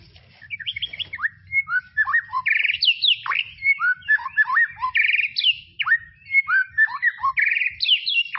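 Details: Tropical forest white-rumped shama, recorded as tutor material for young birds, pours out a rich varied song: buzzy bursts, sharp downward sweeps, flat whistles and twisting rising notes in a continuous stream.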